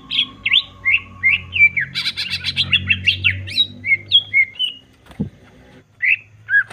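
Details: Greater green leafbird, caged, singing a varied provoking song: short whistled slurs, a burst of harsh chattering notes, then scattered sharp whistles with a pause and a low click, over low background hum.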